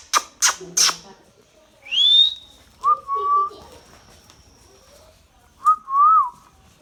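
An Indian ringneck parakeet gives three sharp chirps, then a rising whistle and two lower, warbling, speech-like phrases, in a quiet room.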